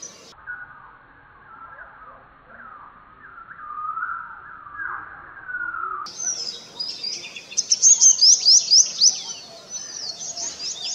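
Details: Purple sunbird courtship song. A lower, warbling chatter comes first. Then a bright, high twittering begins, with a run of loud, sharp rising chirps repeated quickly near the end.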